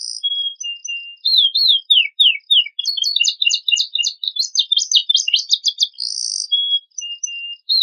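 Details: Canary with a richly filled training song used to provoke untrained birds into singing. High thin notes and falling slurs give way to a dense, fast chattering trill of varied syllables, ending in a buzzy burst and sparse whistles. The background is clean.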